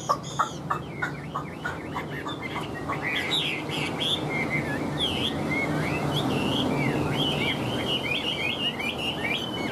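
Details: Tame, cage-accustomed Chinese hwamei kept as a songbird, singing on cue; its keeper says the longer it sings the more fired up it gets. A few sharp clicks open, then rapid varied whistled notes slur up and down over steady background hiss.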